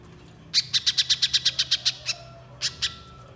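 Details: Little spiderhunter used as a lure to draw out its calling: a rapid run of about ten sharp, high chipping notes at an even pace, a short pause, then two more chips.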